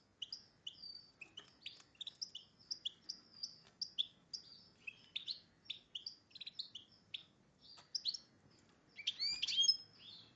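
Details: Goldfinch crossed with a red agate canary, a hybrid in breeding condition, kept as a cage bird, singing a steady series of short, high chirped notes at about two or three per second, ending in a louder twittering flourish.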